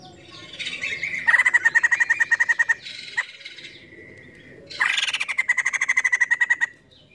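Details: Female white-crested laughingthrush, known locally as poksay jambul, chirping vigorously: two long runs of rapid, evenly pulsed chirps, each starting with a harsh rising note, separated by a brief buzzy interlude.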